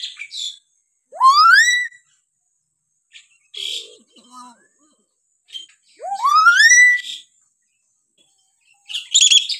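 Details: Hill myna vocal variations used as a tutor for other mynas: soft chatter and harsh notes surround two long whistles that sweep strongly upward.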